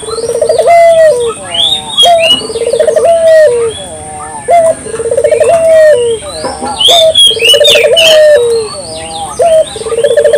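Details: Local dove cooing steadily to lure birds, rolled trills each ending in a long coo roughly every two and a half seconds, amid lively chirps and whistles of several other birds.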